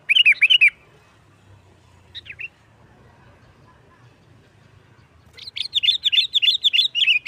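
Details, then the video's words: Sooty-headed bulbul singing to provoke other bulbuls, 'nggaruda tarung' style: a short burst of sharp chirps, a long near-silence with one brief phrase, then a lively run of quick, varied chirps. "Suara Burung Kutilang Gacor NGGARUDA TARUNG ini sangat Cepat memancing Kutilang LAIN Gacor"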